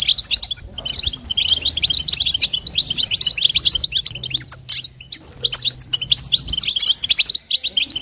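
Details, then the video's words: European goldfinch, a female calling to excite the male; sustained bright twittering with fast tinkling notes, a short gap near the middle, then more chattering runs over soft low hum. "نداء انثى الحسون لتحفيز طائر الحسون"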